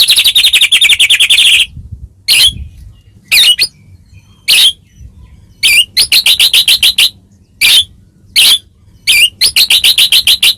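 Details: White-rumped shama singing to draw song from other shamas: high, buzzy rattling bursts repeated with gaps, each a fast chatter of harsh notes.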